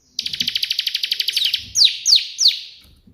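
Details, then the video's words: Bar-winged prinia giving a fast trill of about fifteen sharp chirps that runs into three loud, downward-sweeping whistles, with a few soft low taps underneath. "burung ciblek gacor versi tembakan perenjak putih"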